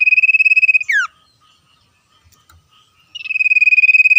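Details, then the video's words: Rapid, regular high trill of a common iora calling back and forth with wild birds, closing on a falling whistled note; after a short lull with faint ticks the trill returns, steady and insistent. "sirtu cipoh gacor ngetir suara asli alam liar"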